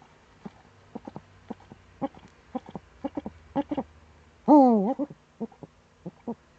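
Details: Eurasian eagle-owl in the Eifel, Germany, recorded 26 September 2013 around seven in the morning. Steady soft ticking throughout, broken once by a loud descending nasal wail with a rising end.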